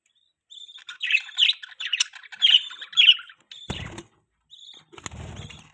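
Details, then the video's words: Pet budgerigar chirping: a quick run of bright, warbled chirps for about two seconds, followed by a couple of brief rustling or knocking noises near the end. "budgie chirping sound, budgies chirping sounds"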